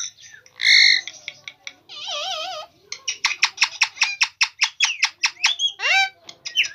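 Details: Indian ringneck talking parrot giving a loud harsh squawk, a wavering warbled phrase, then a fast series of crisp repeated clicks and chirps with a few swooping whistles near the end.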